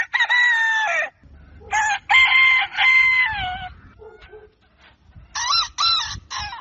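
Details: At daybreak a rooster crows loudly: a long descending harmonic call, then a stuttering multi-part crow, soft clucks in a lull, and a final choppy crow with rising-falling notes.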